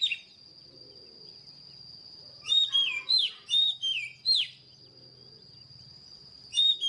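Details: Oriental magpie-robin giving about five well-spaced, sweet downslurred whistles mid-clip and a final note near the end, against a steady high whine and a soft low hum.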